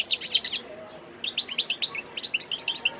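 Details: European goldfinch, a wild bird, recorded in Sidi Bel Abbes on 17 December 2021, delivering a quick string of bright, liquid chirps and twitters, evenly spaced and steadily repeated throughout.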